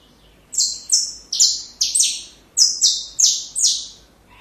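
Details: High, piercing notes of a saffron finch, used for training young birds, come in two rapid bursts of about four and five sharp, downward-sliding phrases, with a short break between.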